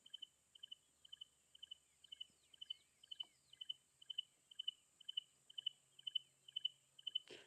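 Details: Stierling's Wren-Warbler, a secretive thicket bird with a distinct call, at sunset on 27 December 2024 in a Lowveld game reserve, South Africa: a high, clipped double or triple note about twice a second, over a thin insect whine and faint chirps.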